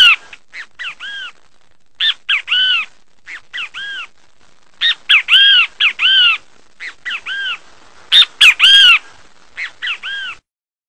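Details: Great kiskadee calling loudly and repeatedly: sharp, ringing, arched notes grouped in threes, each phrase a quick pair followed by a longer drawn-out note. Phrases come every second or so with short pauses, in an otherwise quiet setting.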